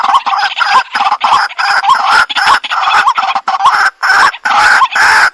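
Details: White-breasted waterhen used for bird trapping, giving loud, grating, nasal calls in fast clustered bursts, each harsh note carrying a slight rising twist, repeated almost continuously.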